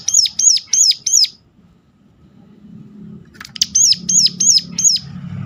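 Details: Sunda warbler giving a sharp call used to prompt other birds of its kind to sing: two bursts of four or five high, arched, piercing notes in quick succession, separated by a pause, with a faint low rumble beneath.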